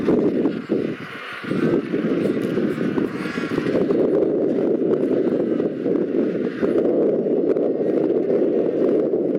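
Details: Royal penguins at a colony on sub-Antarctic Macquarie Island. A dense, continuous chorus of harsh, braying calls rises and falls, with overlapping harmonic cries on top and steady wind-like noise throughout.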